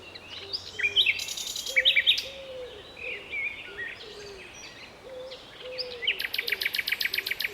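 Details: Common nightingale singing in a town park in Strzelce Opolskie, Poland, in May 2012: varied phrases and bursts of rapid, hard repeated notes like a fast rattling trill, over soft low whistles in the background.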